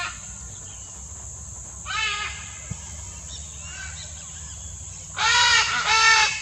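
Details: Endangered Great Green Macaws feeding in the wild in Costa Rica. One grating, harsh call is followed three seconds later by two louder raspy squawks in quick succession, over a steady high insect whine and low rumble.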